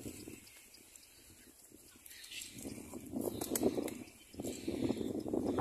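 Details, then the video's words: Little black cormorant bringing food to feed its chick gives harsh, raspy, bleating calls in two loud bursts of rapid, uneven notes, after a quieter stretch of low murmuring. "Little black cormorant brings food to feed the baby"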